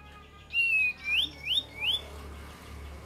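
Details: Kapas tembak lure song: a long flat whistle followed by three rising, slurred whistled notes about a third of a second apart, over a low steady hum.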